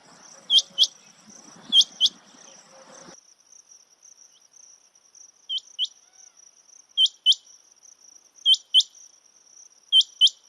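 A rain quail gives sharp, high paired notes, 'which-which', about every second and a half over a steady high insect hum, with rustling at the start.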